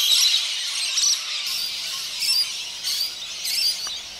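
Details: Hundreds of rainbow lorikeets bursting en masse from a neighbour's gum tree in Chelsea, Victoria, Australia, and flying off: a dense wash of high, shrill screeching chatter from many birds at once, swelling in bursts.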